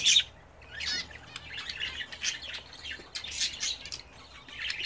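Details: Home-bred budgerigars during a bath, giving rapid high warbling chirps and short squawks in irregular bursts, with a quieter pause near the start and soft background hiss.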